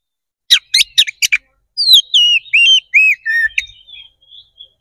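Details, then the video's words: Oriental magpie-robin in aggressive, vigorous song used to raise another bird's excitement: quick harsh staccato notes lead into a series of clear, slurred downward whistles that fade into softer trailing notes. "KACER GACOR NGEPLONG TARUNG"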